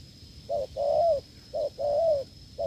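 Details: During a failed lure test, a wild spotted dove coos hard: a clipped low note then a long, level-to-falling coo, repeated twice with a third starting, a thin steady whine in the background.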